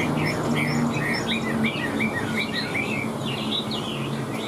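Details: Chinese hwamei kept in a cage, singing high: rapid short chirping notes run together in a busy chatter, somewhat soft against a constant low hum and hiss.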